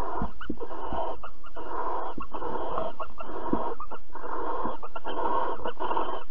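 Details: Barn owls mating and cuddling at Alphen, 22 April 2020, 21:37. Rasping, breathy hisses come in about five drawn-out bursts of roughly one second each, separated by brief dips and soft knocking sounds.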